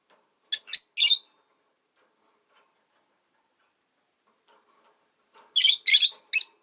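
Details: Rosy-faced lovebirds, five birds in a cage by a window with faint street and car noise, give harsh, high, buzzy chirps, a quick pair at first and then a rapid burst of five after a quiet gap.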